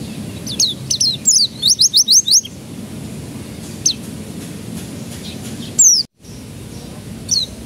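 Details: Canary song used as a lure to get young canaries to start singing: a burst of quick repeated high trills and chirps, then scattered single high notes over a low background hum.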